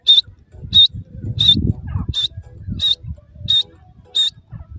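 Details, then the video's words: Grey francolin giving short, sharp high notes, one repeated about every 0.7 seconds, seven in all, over a low rumbling background. "grey francolin k awaaz,irani gora teetar voices"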